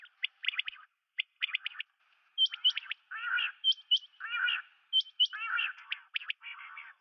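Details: Common quail (Coturnix coturnix) calls: clusters of quick sharp notes early on, then grating buzzy phrases alternating with brief higher clicks, roughly every second.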